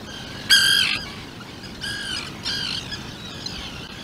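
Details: Atlantic puffin burrow on Seal Island with a 2-day-old chick and both parents: one loud harsh harmonic squawk, then two softer squawks about half a second apart, over a steady outdoor hiss.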